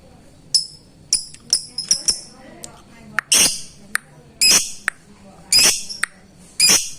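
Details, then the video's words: Lovebird calling a rival in the ngetik style, used as a lure to stir lovebirds that are slow to sing; sharp, harsh high chirps come in irregular bursts, some short and clipped, others longer and rasping. "LOVEBIRD MEMANGGIL LAWAN"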